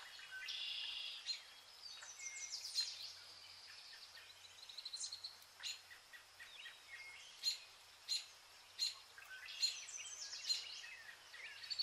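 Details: Zebra finches, shown as entertainment for cats. Continuous high twittering from several birds is punctuated by loud, clipped beeping notes that come about once a second toward the end.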